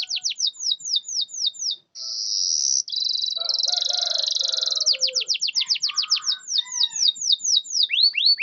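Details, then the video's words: Canary song to trigger silent birds: repeated swooping whistles, two high buzzing rolls with softer chatter beneath, then a long run of fast upswept notes, some lower whistles at the end. "Pancingan kenari macet malas bunyi bisu pasti langsung nyaut"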